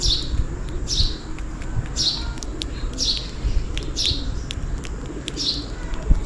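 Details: A sparrow calls for food in the rain, giving loud, crisp chirps that sweep down in pitch. About seven come in an even rhythm close to one per second, with occasional faint clicks and a low rumble.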